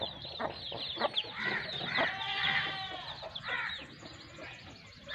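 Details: Pakistani Aseel hen accompanied by her two-month-old chicks. Busy thin peeping rises and falls in clusters, while occasional low clucks and brief louder chirps break through a noisy background.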